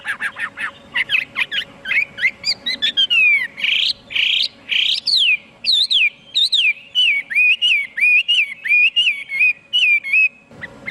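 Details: Chinese hwamei in varied song: fast chattering notes give way to long, rich, slurred whistles, then a string of repeated looping phrases.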